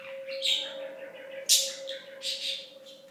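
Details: Budgerigar kept as a talking pet from 2007 to 2016 gives scratchy warbled mutters punctuated by two harsh high squeaks about a second apart, over an unbroken mechanical hum.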